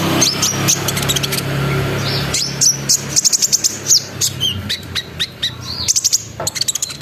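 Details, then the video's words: Sunbird singing as a lure to set off other birds: low engine rumble at first, then a rapid series of high, thin chirps and sharp whistled notes in quick bursts. "PANCINGAN KONIN NGERIWIK NGEROL NEMBAK GACOR BIKIN KONIN LAIN IKUT BUNYI"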